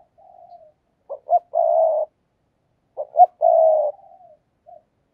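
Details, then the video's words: Decoy spotted dove in a cage giving its luring call twice, about two seconds apart, each phrase of two quick stuttered notes then a drawn-out low coo, with a soft trailing note between. "cu moi/ tiếng cu mồi"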